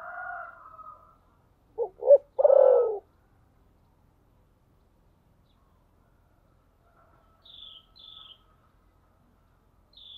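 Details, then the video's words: Spotted dove song in the thổ sấm style: a pair of brief hoots followed by one drawn-out, throaty coo. It comes after the tail of a distant rooster crow, and a small bird gives thin high chirps later. "cu gáy giọng thổ sấm"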